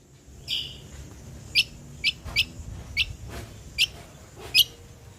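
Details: Ruby-throated bulbul, genuine voice intended to lure and tutor songbirds: six or so sharp, clipped chip notes, spaced irregularly every half second or more, over a soft background hiss.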